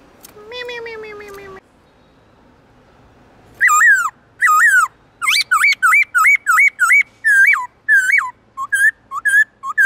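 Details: Black-throated laughingthrush giving the "forest voice" song with long, loud, clear tones. A low, harmonic, nasal tone opens, then a pause. Rapid repeated whistled notes follow, each dipping down then flicking up, roughly ten in four seconds.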